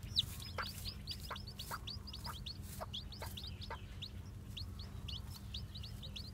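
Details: Newly hatched white, black-tailed Japanese bantam chicks walking about, giving faint, high, downslurred peeps in a rapid, uneven stream, with soft tapping clicks and a low background hum.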